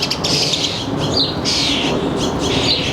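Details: Birds at a suburban backyard feeder in northern New Jersey, recorded around 4 p.m. on July 3, 2022, when fledged young are about: harsh, buzzy squawks in quick bursts, with two or three rasping notes over three seconds against steady background hum.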